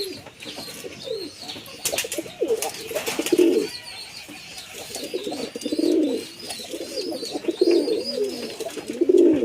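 Pigeons give deep, throaty coos in repeated rolling bursts, with faint chirps higher up.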